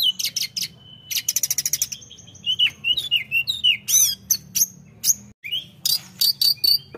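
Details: A tledekan sings full and lively to stir rival birds, with rapid trills of sharp ticking notes, bending whistled slurs and high staccato chirps in quick, uneven succession.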